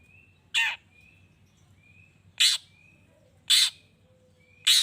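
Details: Long-tailed shrike calling to provoke rival shrikes into replying: four loud, harsh screeches spaced about a second apart, with soft high whistled notes from another bird filling the pauses.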